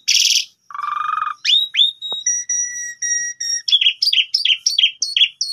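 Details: Asian pied starling singing in the morning as a lure to call a rival: a varied run of clear whistles, buzzy chattering notes and sharp chirps, then a steady sustained whistle and a quick series of repeated rising squeaky notes.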